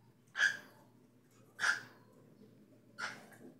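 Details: Three short, scratchy chirps from a cockatiel come roughly every 1.3 seconds, the last one softer, over a low steady background hum.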